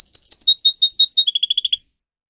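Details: Pet canary in full song: a rapid string of bright chirped notes, about eight per second, stepping lower midway into a rolling trill that ends sharply.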